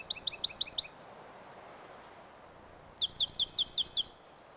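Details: Male Bachman's sparrow combining introductory buzzes and whistles with different trills: a quick high trill, a short pause, a thin descending whistle, then another rapid trill.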